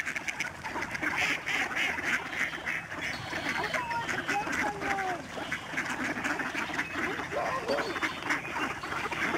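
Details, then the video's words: Huge flocks of snow geese flying over the George C. Reifel Migratory Bird Sanctuary, Delta, BC, Canada, on 24 March 2011: a dense, continuous chorus of overlapping nasal calls, with a few clearer rising honks standing out midway. "Snow geese flying and honking"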